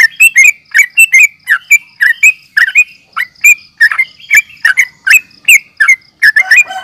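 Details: Sooty-headed bulbul (trucukan) fighting calls used to stir other bulbuls to reply: loud, irregular bubbly chirps and short warbled phrases, overlapping voices, a thin steady high tone in the background.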